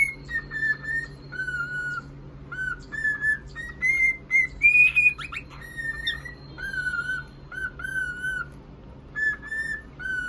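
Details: Cockatiel calling: a series of clear whistled notes, mostly steady or gently falling, several rising sharply, given in short bursts about every half second to second, over a faint low hum.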